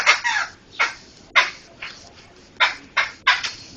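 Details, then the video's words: Laughingthrush vocalising for songbird training: about seven harsh, raspy bursts, each a short rough note, delivered at uneven intervals over nearly four seconds. "Ocehan Burung Poksay"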